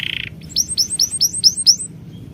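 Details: A short burst of a lower buzz opens, then a run of six bright, high, down-curving chirps in quick, even succession before quiet returns.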